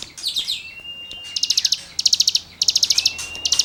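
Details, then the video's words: Cigun in lively song used as songbird tutoring material: short rapid bursts of high, sharp notes repeated with brief pauses, alongside long thin level whistles and a faint twittering start. "CIGUNG GACOR FUL NEMBAK MATERI GESEKAN BURUNG KICAU"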